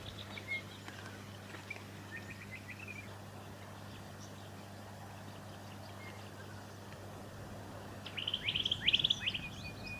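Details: White-fronted honeyeater in Victoria, Australia, August 2017, giving faint high chirps, then a quick burst of sharp, metallic notes near the end, over a steady low hum.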